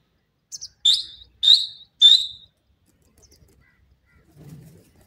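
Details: Partridge pair, a Dakhni titer and Irani teetar pair: three loud, sharp, high notes in quick succession, each with a slightly falling tail, followed by silence and a faint low rustle.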